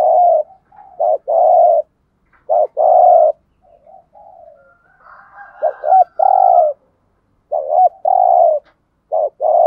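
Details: Decoy spotted dove cooing in the urging 'gù thúc' style to lure other doves; short stuttering notes run into a long throaty coo, repeated in bursts, with a softer murmuring coo near the middle.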